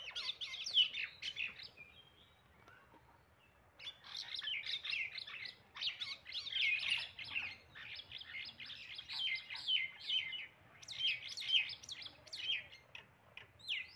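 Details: Common myna, an Indian bird also called shalik, giving bursts of harsh, chattering, squeaky notes in dense runs, pausing briefly after two seconds before resuming a long busy sequence of grating chirps and whistles.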